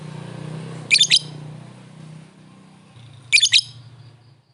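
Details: Lovebird calling an opponent: two short clusters of piercing chirps several seconds apart, against a steady low droning hum.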